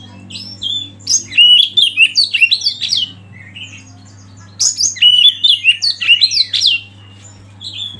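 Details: Oriental magpie-robin training song set against flowing river and wild birds: two dense bursts of quick, varied whistled and chattering notes, each lasting about two seconds, separated by a quiet stretch with a constant low hum.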